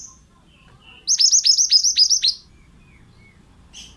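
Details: Energetic song of a male pied bushchat used as training material for other birds: a loud, fast volley of about eight shrill, downward-flicked notes lasting just over a second, framed by quiet thin chips.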